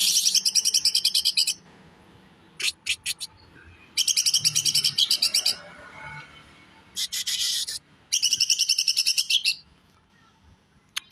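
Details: Cucak ijo, the greater green leafbird, singing in 'tembakan besetan kasar' style: repeated short volleys of rapid, coarse, buzzy chatter, each lasting one to two seconds, separated by brief pauses and a few isolated clicks.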